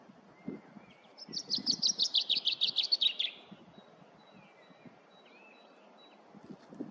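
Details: Common chaffinch singing: a fast descending series of bright, repeated notes lasting about two seconds and ending in a flourish, followed by faint thin calls of other birds over low rustling background noise.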